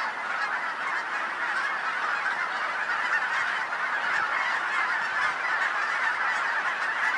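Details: Dense honking of a very large Colorado goose flock, a constant overlapping babble of nasal calls at steady volume from start to finish.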